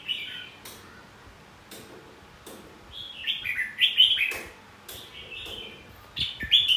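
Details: Red-whiskered bulbul fighting song to provoke competitive singing: scattered clicks open the clip, then cascades of rich warbled, descending whistled phrases grow louder toward the end.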